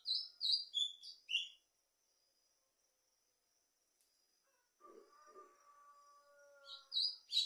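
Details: Patativa singing: quick high chirped notes in a short burst at the start, a quiet pause, a few lower drawn-out tones, then the high chirping phrase returns at the end.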